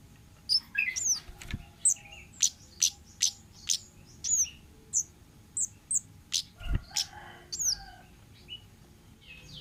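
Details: Orange-headed thrush giving 'ngalas' wild-type song on a lure and tutor recording: a fast run of sharp high ticks, roughly two per second, threaded with downslurred chirps and one low thump.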